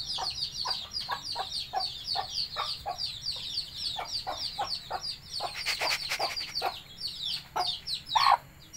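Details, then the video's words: Mother hen calling chicks to food with rapid, evenly spaced soft clucks, about two a second, then a louder burst of harsher notes near the end; chicks peep shrilly and continuously throughout. "Bahasa Ayam Memanggil Anaknya Makan"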